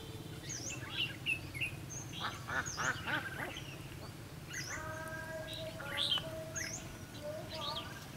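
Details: Red-whiskered bulbul at a fighting trap set to lure wild birds: scattered bright chirps and quick up-down whistled notes, with a few flat, harmonic-rich tones midway, over steady low background rumble.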